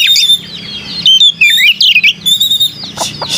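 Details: {'caption': 'Melodious white-rumped shama song, varied swooping whistles and slurred notes mixed with quick chattering bursts, phrases separated by short gaps, a faint low hum underneath.'}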